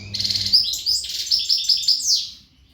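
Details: A short, forceful phrase from an untutored al-Gharb goldfinch in readiness condition, with sparkling high notes, a rapid series of repeated twitters and a final falling slur. The background is quiet.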